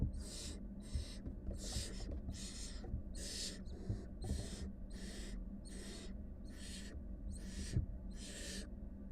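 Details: Wild barn owl family of a mother and five nestlings: a rapid run of about eleven rasping, airy hisses, one roughly every 0.8 seconds, some overlapping, with a constant low electrical-sounding hum underneath.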